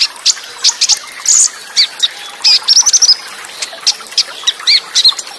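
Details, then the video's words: Olive-backed sunbird song in a full-fill tutor recording featuring cililin bursts, speedy rolls and close gaps: bright high chirps and a quick string of clipped whistled notes, with water trickling softly underneath. "Masteran KONIN FULL ISIAN Materi MEWAH Tembakan Cililin, Roll Speed & Jeda Rapat + SUARA AIR"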